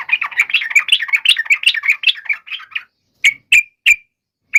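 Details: Yellow-vented bulbul fighting song for luring other bulbuls to respond: a long stream of rapid warbling chatter fading out, followed by four sharp, separate chip notes.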